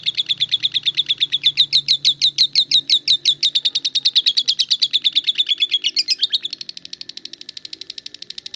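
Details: Konslet lovebird in full ngekek: a loud, fast run of clipped, high chirps, about ten each second, that shifts at six seconds into a quicker, quieter buzzing trill which carries on to the end.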